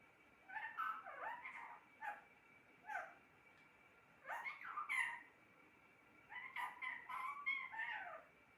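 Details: Pet talking parrot producing three bursts of harsh, speech-like syllables with wavering, rising and falling tones, separated by short pauses; a steady faint hum runs underneath.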